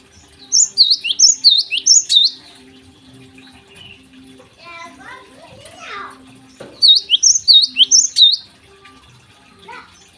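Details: Java sparrow in full morning song: a rapid string of ringing, swooping notes, a break with rustling and faint chirps, then another similar string of six or seven notes.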